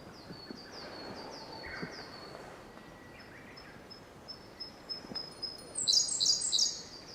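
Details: Siberian blue robin singing in Togakushi Forest Park, Japan, on 24 May: a series of soft, thin, high downslurred notes, then a loud, rapid, high-pitched burst of trilled phrases near the end, over faint forest background.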